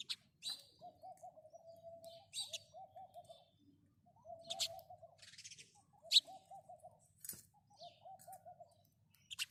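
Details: House sparrow giving short, sharp high chirps in scattered bursts, alongside a lower, steady pulsed cooing that runs in long phrases beneath them.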